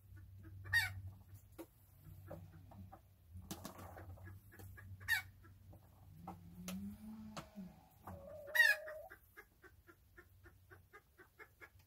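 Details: Domestic chickens, called chooks, relaxing: scattered sharp squawks and soft clucks, a low drawn-out murmur mid-way, then a strident call followed by a run of quiet evenly spaced clucks over a faint hum.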